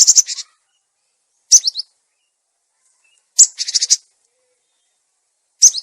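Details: Lure sound of a cinereous tit, clear-toned and used to train silent tits: buzzy, rattling churr bursts and brief high downslurred notes in phrases separated by pauses of over a second.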